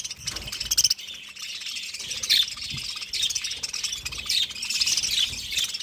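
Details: A flock of budgies chattering: bright, rapid chirps and squeaky warbled notes pile up in bursts over continuous twittering, backed by a low constant hum.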